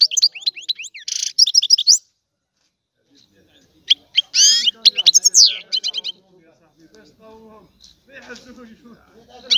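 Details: Goldfinch song in broken phrases: quick high twitters and a buzzy rattle, a pause, then sweeping slurred notes and chattering runs, fading into softer scattered notes over a faint lower hum.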